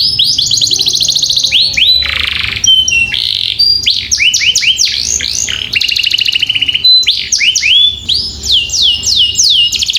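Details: Canary singing a long rolling 'gacor' song, used as tutor recording to train young birds to sing: rapid trills of down-slurred notes high in pitch, switching between buzzy rolls and sweeping whistles, nearly continuous for ten seconds.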